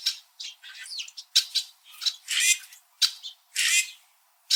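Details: Winter red-winged blackbirds in a Niagara-area backyard, Ontario, perched on high branches and chirping at one another: overlapping rasping squawks, clipped chirps and grating chatter, loud and uneven.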